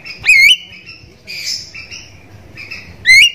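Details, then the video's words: Javan myna lure recording, meant to make other Javan mynas call back. Two loud, harsh, rising squawks about three seconds apart, with scratchy buzzy chatter between them. "JALAK KEBO MANAPUN PASTI IKUT TERIAK"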